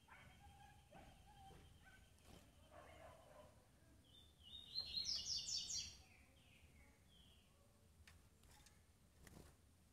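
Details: Female double-collared seedeater calling to arouse males; a single burst of quick, high, rising slurred notes stands out midway among faint background knocks and hum.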